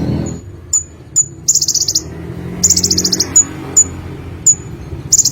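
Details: Olive-backed sunbird singing persistently: thin high tsip notes repeated about every half second, broken by two long rapid buzzy trills, with a quiet low hum beneath.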